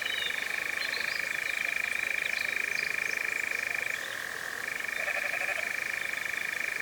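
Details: European Nightjar, the first recorded in 2026, in the Cefn Ddu forestry, North Wales, UK, captured with a Zoom F3 and Clippies microphones in a drop rig. A steady, unbroken mechanical churr runs throughout, pausing briefly near the fourth second before resuming. Faint high chirps sound alongside.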